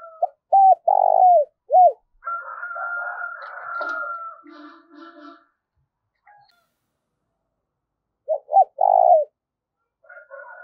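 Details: Spotted dove acting as a decoy to call in wild doves. A phrase of deep coos opens, then a long thin whistle and chatter from another bird, then a quieter coo phrase after a silence.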